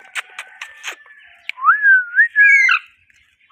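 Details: Pet Indian ringneck parakeets, a pair: a quick run of dry clicks, then a smooth rising and falling whistle that ends in a brighter, buzzier flourish.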